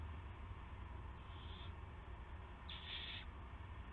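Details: Owl on a live nest camera at 8:00 PM on March 18, 2016, arriving with a gopher; one faint short hissing screech, then a louder harsh, noisy burst about half a second long, over steady low hum.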